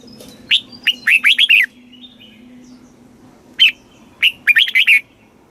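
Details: Red-whiskered bulbul song from Thailand in southern master-style phrasing, played to stimulate caged birds and teach young ones: two bright phrases, each a quick run of five or six slurred whistled notes, separated by a two-second pause over a low steady hum.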